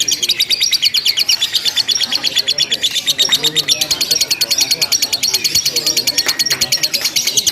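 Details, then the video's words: During a practice singing contest, a lovebird delivers long ngekek chatter, a steady stream of rapid, piercing, metallic pulses with no gaps, over quiet low-pitched background noise. "LOMBA LOVE BIRD TERBARU 2025 NGEKEK TANPA JEDA DURASI PANJANG"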